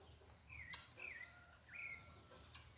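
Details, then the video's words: Sabiá thrush singing at dusk in the countryside: three short, clear whistled phrases that slur up and down, spaced about half a second apart, quiet against a soft background hiss. "Entardecer na roça com cantos do sabiá fica mais bonito."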